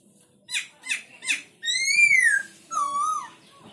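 Black-throated laughingthrush: three quick, rich, falling notes, then a loud arching whistle and a lower, steadier whistled phrase. No other sounds are heard.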